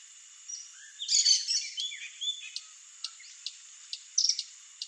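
Swallow-tailed hummingbird giving high, thin chips and twittering bursts, with sharp ticks spaced about every half second, over a steady high hiss.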